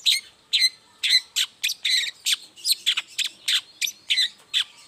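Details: Long-tailed shrike singing in the morning, a lure recording meant to make silent shrikes answer; harsh, scratchy 'toet' notes repeated rapidly, roughly two to three per second, in a clean recording with no other sounds.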